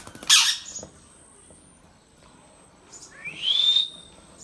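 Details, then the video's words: Indian ringneck kept as a talking pet: a sharp, noisy screech burst opens, then a quiet pause, then a long rising squawk that flattens out near its end. "Indian talking Parrot | Parrot talking compilation | Parrot talking natural sounds \ Voice"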